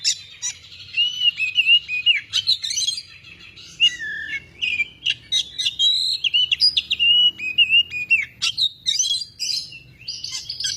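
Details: Oriental magpie-robin in full, lively song: a nearly continuous stream of sweet whistles, slurred rising and falling notes and sharp chips, packed closely over ten seconds with few gaps.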